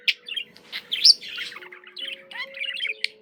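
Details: Budgie chattering in rapid, high chirps and scratchy twitters in short bursts, one clear whistled upslur near the middle, with faint level background tones underneath.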